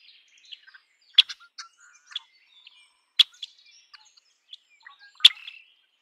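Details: Red-winged blackbird calling: sharp, dry chip notes spaced a second or more apart, with soft twittering between them.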